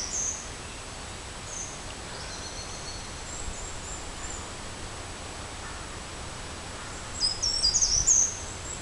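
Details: A short-toed treecreeper gives a few very high, thin, piercing notes at Helsingør, Denmark, on 31 May 2011. They are faint early on, with a clearer cluster near the end, over steady outdoor hiss.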